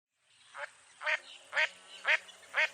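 A mottled duck gives five nasal, harmonic quacks, one about every half second, each a brief falling note over a faint background hiss.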